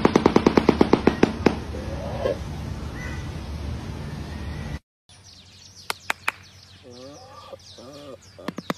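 A shoebill's bill-clattering: a fast, dry, machine-gun-like rattle of about a dozen hollow knocks per second, then steady hiss, scattered clicks and faint low tones.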